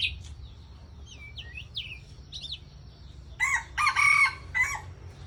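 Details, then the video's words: Aceh white-rumped shama from Ladong, Aceh Besar, used to lure birds into traps: quick fluty whistles sliding up and down, followed by three loud harsh rasping bursts. "Murai Aceh - Pikat"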